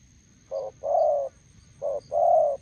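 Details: Spotted dove at a roadside decoy setup in Gia Lai, Vietnam, where a decoy bird meets a wild one. Two mellow coo pairs sound out, each a brief note followed by a drawn-out hooting one, over low rumbling background.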